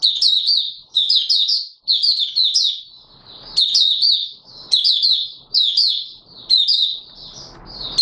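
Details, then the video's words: Oriental white-eye (Mata Puteh Raja), a kept bird singing its opening song on 24 March 2022: fast, high, warbling chirp runs repeated almost nonstop in one-second bursts, with soft scuffling noises in the gaps. "Mata Puteh Raja Video 1 buka sing"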